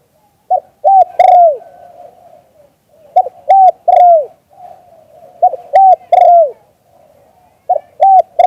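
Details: Spotted dove in the 'liu tan' song style, recorded live, repeating a phrase about every two and a half seconds: quick soft coo, two short punchy coos, then a drawn-out falling coo, quiet surroundings.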